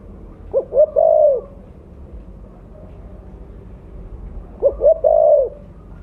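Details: Loud mottled 'blorok' spotted dove calling as a lure: a three-part coo phrase, two brief notes and a longer mellow coo, given twice about four seconds apart over quiet background.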